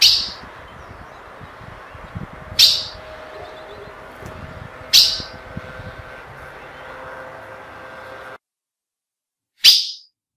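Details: Female ultramarine grosbeak call used to excite males: four abrupt, breathy chips at irregular intervals over a steady low mechanical hum that drops away before the last note.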